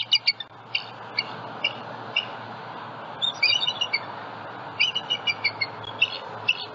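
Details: Bald eagles at a nest with eggs in Southwest Florida, filmed by a live nest cam on a February morning as a juvenile flies over the nest; series of high, thin, squeaky chirps in short bursts over steady background hiss.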